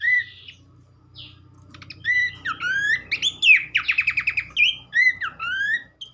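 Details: Horsfield's Babbler song used as a training recording to prompt other babblers into song. It starts with soft whistles, then builds to a dense run of slurred whistles and rapid trills over a faint low hum.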